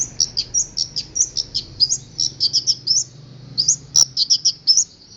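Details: Local long-tailed shrike from Boja, singing with isian, mimicked fill-in sounds including strange notes: a fast run of short, high, sharp chirps and twittery notes, uneven in spacing, with one loud click partway through.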